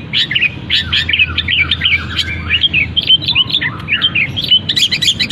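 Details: Caged long-tailed shrike singing vigorously after its cage cover is opened, its song filled with imitations of canary, fighting sparrow and kapas tembak; a busy run of quick chirps, twitters and slurred whistles, high and unbroken, over a low indoor hum.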